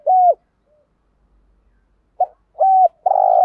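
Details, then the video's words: Morning cooing of a decoy spotted dove used to stir other doves into calling, with two steady hollow coos, a pause, then a short note followed by further long level coos. "Tiếng chim cu mồi gáy gọi buổi sáng, giúp kích thích những con bổi khó tính gáy theo cả ngày"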